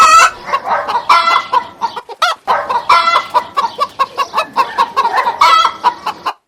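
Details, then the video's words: Domestic chicken calling: loud, harsh, harmonic clucks and squawks come in quick irregular bursts, some drawn out and rising, with short silent gaps between runs of calls. "Learn Family Animals: Cat, Cow, Chicken, Duck, Heifer - Farm Animal Sounds"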